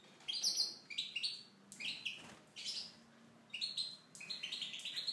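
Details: Tunisian goldfinch singing in an aviary: bursts of bright, rapid twittering with buzzy trills and sharp chirps, phrases broken by brief pauses, delivered at a lively, busy pace.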